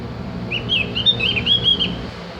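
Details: Javan grey-throated white-eye, also called cak gentong, used as a tutor recording to train caged birds to sing: a quick run of high, thin, slurred whistled chirps over a low steady hum.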